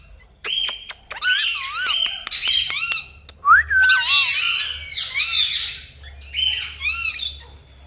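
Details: Pet Indian ringneck parakeet indoors giving a run of harsh squawks mixed with looping whistled notes and sharp clicks, bursts repeated through the recording with brief pauses between them.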